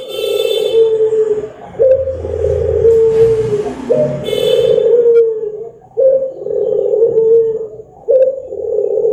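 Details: Barbary dove cooing played to get other birds singing, with repeated long, soft, low coos roughly every two seconds, each with a crisp start and downward slide, plus a faint high tinny ringing and a brief hiss.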